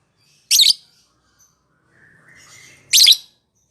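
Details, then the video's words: Lovebird recording used as a training lure to prompt a lovebird that rarely sings; two harsh, shrill chirps about two and a half seconds apart, with a faint soft murmur between them. "Pancingan Melatih LB Yang Jarang Bunyi"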